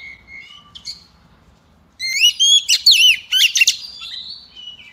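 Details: Female Oriental magpie-robin whose song is used to set a row of males singing: a few quiet whistles, then from the second second a loud volley of looping, swooping whistled notes fading into a thin trill.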